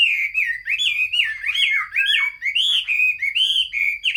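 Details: Chinese hwamei in full song on 15 June 2021, a continuous, loud, fluid warble of rolling whistled notes rising and dipping without pause.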